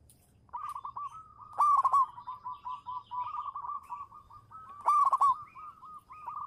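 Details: Champion local zebra dove (perkutut) singing to lure others: a nearly unbroken chain of rolling coo notes, broken by two louder stuttered bursts about three seconds apart. A faint low rumble sits beneath.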